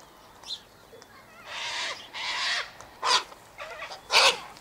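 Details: Sulphur-crested cockatoos eating sunflower seeds, wheat and birdseed tossed out by an eastern gate, giving a run of harsh, gravelly screeches, two longer ones then shorter sharp bursts.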